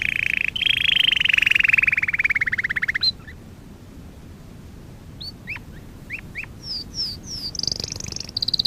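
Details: Canary song for training, beginning with a long loud rolling trill that slowly falls in pitch, followed by scattered whistled up-sweeps and high chipping notes, ending in a quick bright trill.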